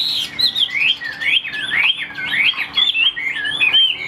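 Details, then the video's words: Chinese hwamei, a caged songbird outdoors before rain, delivering high, fluid whistled song: quick wavering slurs that rise and fall without pause, loud and clear throughout. "Tốc độ mỏ quá ok, đầu mặt đẹp chất giọng cực kỳ hay | Họat Họa Mi"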